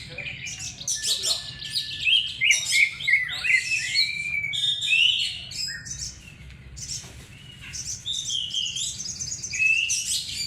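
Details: Oriental magpie-robin singing as a lure recording: a rich, fast run of varied whistles, sharp chirps and sliding notes that rise and fall, delivered in dense bursts with brief pauses, over a faint low background hum.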